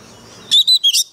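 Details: White-rumped shama giving a quick burst of four bright whistled notes after a brief stretch of low rumbling noise. The last note is sharper and higher.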